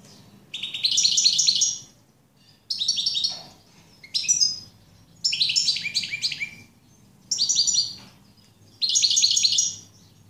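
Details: European goldfinch singing in bursts of about a second each, separated by short pauses, made of bright tinkling, twittering notes with buzzy elements, over a low background hum.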